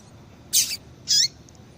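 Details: Two short, bright, high-pitched chips from a female double-collared seedeater, given about half a second apart as calls meant to make males sing. The background is quiet.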